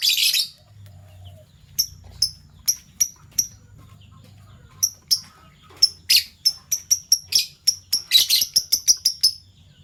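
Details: Fischer's lovebirds, one violet and one gold opaline euwing mutation, kept as pets, calling in the morning with a long series of short piercing high chirps that speed up into a rapid sequence toward the end.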